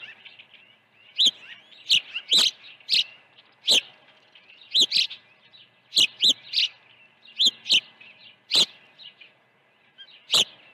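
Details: Intense high chirping at a Dunrovin Ranch osprey nest during an early feeding, 1 June 2019: rapid loud calls, often in pairs and clusters, fill the recording with short whistled notes between.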